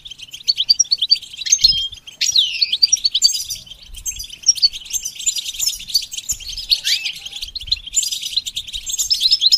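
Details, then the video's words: Goldfinch song from a bird being trained: a long, varied twitter mixing rapid chirps, downward-sweeping notes and bright trills, with volume rising and falling in bursts. "training the goldfinch to sing"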